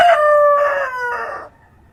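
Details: Dawn crow of a rooster in the countryside: a single rasping, harmonic crow lasting about one and a half seconds, strong at first and sinking in pitch toward the end, with quiet background.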